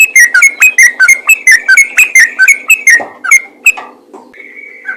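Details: Yellow-vented bulbul in rapid 'ropel' song, used to stimulate other bulbuls to sing: a quick run of bright whistled notes, about three a second, ending after under four seconds, then a faint thin steady tone.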